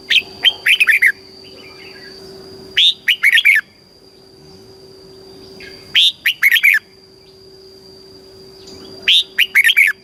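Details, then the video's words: Southern master-style song of a caged Thai red-whiskered bulbul, played to stir birds and teach young ones: four bright, bubbling phrases of about five quick whistled notes each, spaced about three seconds apart, with a faint steady hum behind. "เสียงนกกรงหัวจุก สำหรับต่อ หรือ เปิดให้นกคึก"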